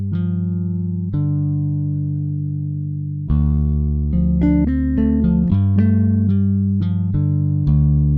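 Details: Plucked guitar and bass notes play a slow melody, and no animal sound is heard.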